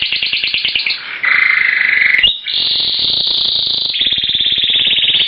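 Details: Male Timbrado canary in a breeding cage, singing to a newly introduced hen that shows no response; continuous metallic rolling trills at steady high pitch, shifting between several trill types with a brief break midway.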